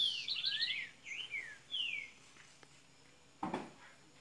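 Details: Double-collared seedeater in Minas Gerais, Brazil, opening its song: a short tumble of high trilled, descending slurs, then two brief sweeping notes and a single low thump near the end.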